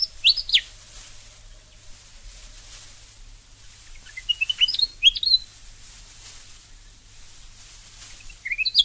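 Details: Willie Wagtail in Australia giving short bursts of sweet whistled notes, with sharp rising and falling slurs, in two separate phrases and a final brief note, separated by quiet pauses, with a faint low hum underneath.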